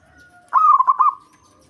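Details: Local zebra dove singing to provoke a rival, a bird in breeding mood; one short rolling coo phrase of four to five rapid throbbing pulses that trail off into a soft tail, otherwise quiet.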